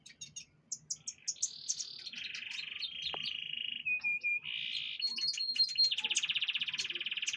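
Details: Canary in full song at pengembunan, loud and sustained: after opening chirps it runs long rolling trills, each tour held a second or more at shifting pitch, mixed with bright whistled notes.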